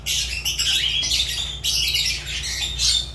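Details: Continuous shrill squawking and chatter from a Fischer's lovebird, rasping high notes running almost without a break, low hum in the background.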